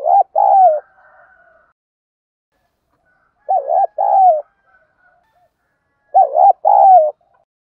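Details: Spotted dove 'gù thúc' urging coos meant to stimulate decoy birds: three phrases, each a rapid wavering double note joined to a longer descending coo, repeated roughly every three seconds in quiet surroundings.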